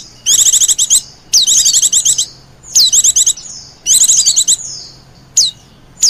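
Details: Oriental white-eye lure call for wild birds: four high, fast twittering phrases under a second each, then isolated sharp downslurred whistles toward the end.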